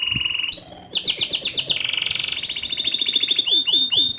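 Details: Singing canary described as lively and rolling, with a forceful, remarkable song: rapid trills and rolls around high pitch, fast repeated notes shifting between steady rattling tours and downward-sweeping whistles, continuous and loud throughout.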